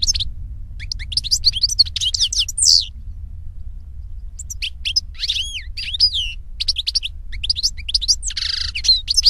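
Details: European goldfinch song in natural surroundings: repeated spells of quick, high twittering with upslurred and looping notes, a brief buzzy burst near the end, and steady low background noise throughout.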